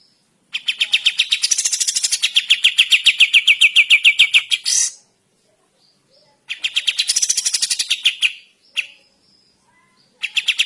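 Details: Sooty-headed bulbul singing in the morning: long runs of rapid, evenly spaced bright chattering notes, about three or four a second, in bursts of several seconds separated by short silences.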